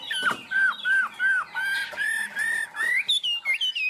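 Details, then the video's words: Caged, tame Chinese hwamei sings a 'cao cầu' high song: a series of arched, clear whistles repeated roughly every third of a second, stepping up into higher, shorter notes at the end. "Chim họa mi thuần, hót tốt, hót cao cầu"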